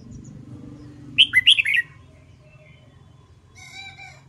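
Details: Red-whiskered bulbul practising its competition song: one quick phrase of five ringing, slurred whistled notes, followed by a faint, steady, layered tone and low background hum.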